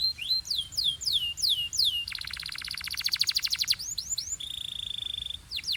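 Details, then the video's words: Belgian-style canary singing with other birds joining: fast descending whistled sweeps give way to a long, loud rattling trill of rapid pulses, then a level buzzy tone and further falling whistles. "This Canary’s Melody Makes All Birds Join In – Pure Belgian Singing"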